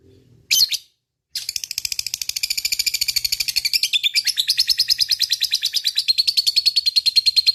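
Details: Lovebird in fighting mood giving a long ngekek chatter: a brief sharp call, a pause, then a fast, unbroken run of high buzzy pulses that holds steady for about six seconds.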